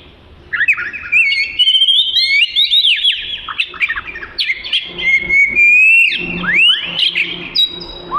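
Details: Oriental magpie-robin (kacer) in vigorous song, intended as training material for other birds: after a short silence, rich whistled phrases with rising slurs, rapid twittering and long drawn whistles follow without a break.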